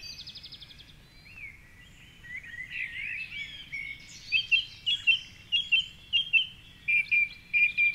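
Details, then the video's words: Before dawn at 4:45am in Cork City, Ireland, a wild song thrush sings from a tall tree by the Curragheen River. Soft warbled twitters build into a crisp, short note repeated about nine times in quick succession, with other birds faintly behind. "Dawn Chorus with Song Thrush"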